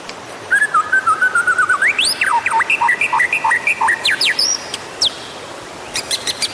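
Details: White-rumped shama song used as a lure to prompt other birds to sing: a long wavering whistle, then rising sweeps and rapid clipped note runs, ending in sharp high ticks.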